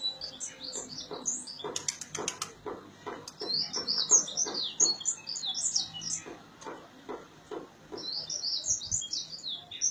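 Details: High, thin twittering from a bird at dawn in Gondar, Ethiopia, heard from a veranda, broken into quick chirp clusters, with a series of sharp knocking clicks sounding in the first half.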